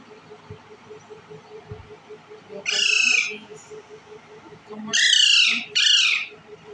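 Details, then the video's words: Green Indian ringneck parakeet eating bread: one raspy squawk, then after a pause two more in quick succession, each harsh and buzzy with strong harmonics, over steady low hum and soft clicking. "green Ring nick talking parrot eating bread"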